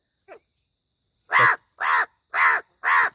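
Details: Talking crow at Gargaon, Palghar, said to imitate human speech, here giving four harsh, loud caws spaced about half a second apart after a brief faint note, with no other sounds behind.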